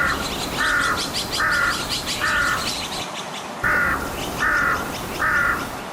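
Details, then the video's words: Colony of nesting Azure-winged magpies in a forest near houses in breeding season give harsh, raspy collective alarm calls against a predator, about one a second, several birds calling in turn, with faint background chatter. "물가치들의 경고 울음 소리가 퍼져 나갑니다."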